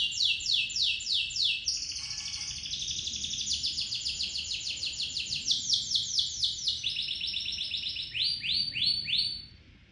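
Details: Local canary singing a long rolling song used as a lure: fast repeated sweeping trills in high rolls, changing tempo between phrases, with sustained rapid rattling passages and no pause across the clip.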